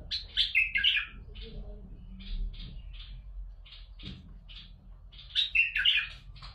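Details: Singing bulbul, meant to stimulate other bulbuls into song: a loud warbled whistled burst opens, soft evenly spaced chirps follow through a quieter stretch with a faint low hum, then another loud, rich fluty phrase closes.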